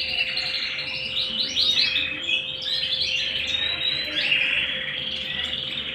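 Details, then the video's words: A singing canary at home gives fast high trills and sliding warbled notes in a continuous flow, over a faint constant background hum. "canary singing at home"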